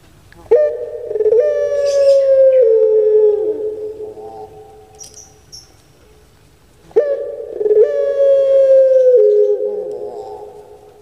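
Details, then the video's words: Kept collared dove of the puter pelung type cooing: a short rising note, then a long, steady, harmonic-rich drawn-out tone of about two seconds that slides downward. The phrase repeats after a pause, with faint bird chirps in the background. "TAK DISANGKA PUTER PELUNG DAPAT NEMU ini Suaranya SEBAGUS ini"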